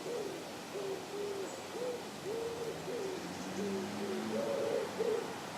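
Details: Canada geese on the South Pond in Midhurst, West Sussex, England: soft, mid-pitched calls, several birds overlapping in short two-note honks about every second, over a low steady hum.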